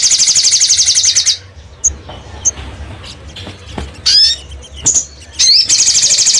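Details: Lure sound of a crimson sunbird, opening with a rapid high-pitched trill, then a pause broken by isolated thin chirps and sharp downslurred notes, before the fast trill resumes at the end; faint low hum behind.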